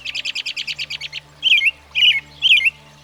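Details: American Robin (Turdus migratorius): a quick run of about ten short, high chips, then three clear warbled phrases, each about half a second apart.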